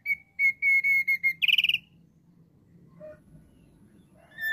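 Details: Thick-billed heleia song used as a lure for wild birds: a run of bright, even whistled notes at a steady high pitch, about four per second, breaking into a quick buzzy trill. A faint low hum sits underneath.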